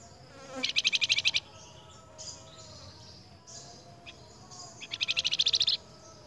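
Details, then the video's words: Flamboyan replying to another flamboyan's voice: two dense, buzzy, high trills, each about a second long and rapidly pulsed, separated by softer scattered notes and background hiss. "FLAMBOYAN NYAUT BUNYI DENGAN SUARA FLAMBOYAN LAIN"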